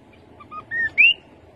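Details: Rufous-capped babbler: a few soft low piping notes build into two louder whistles, the last one rising and bright.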